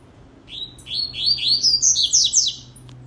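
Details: Rusty-collared seedeater singing a rapid two-second phrase of whistled notes that start lower and step steadily higher, each note sharply slurred, over a low electrical hum.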